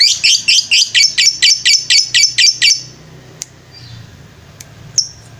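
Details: Lovebird ngetrek song used as a training master: about ten evenly spaced bursts of high, buzzy chatter over three seconds, then near silence broken by two faint clicks and a thin whistle.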